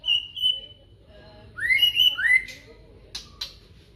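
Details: Morning song of a magpie-robin: a sustained high whistle, then two loud rising slurred whistles, followed by a pair of short, sharp clicks.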